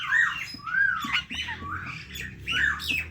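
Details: Parrot calling with arched, whistled notes that rise and fall, about one every half second, mixed with rough squawking overtones above a low continuous background hum.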